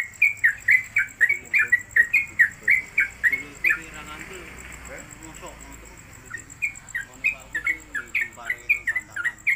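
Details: Caged Sooty-headed Bulbul, locally trucuk, performing a rapid long-duration song used for tutoring other birds. Quick repeated whistles, a pause filled with murmured speech, then the rapid whistles resume.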